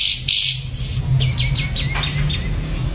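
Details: Ashy drongo: a brief buzzy burst followed by a quick series of short, descending whistled notes over a low background hum.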